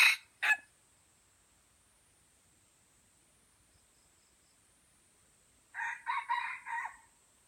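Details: An Aceh F1 white-legged junglefowl crows once near the end: a short four-part crow of hoarse, banded syllables, the second rising and the last drawn out. Two sharp noisy bursts open the recording, then there is a long quiet gap.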